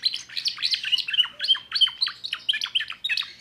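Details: Timbrado canary, a young bird from 2024, in full song with a dense stream of quick, chirping, metallic notes sliding down in pitch, delivered several times per second without pause.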